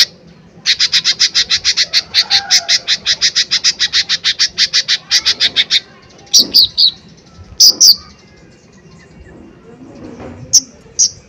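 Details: Lesser green leafbird (cucak ijo mini), singing hard in loud 'tembakan' style used to provoke others, gives a fast run of about twenty-five harsh repeated notes over five seconds, then scattered sharp, upslurred high notes with gaps.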